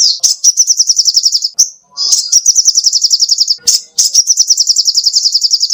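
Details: Sogoh ontong, the little spiderhunter, in full energetic song recorded for tutoring kept songbirds. Three long, high, quickly pulsed trills are each separated by a sharp chip and a short break.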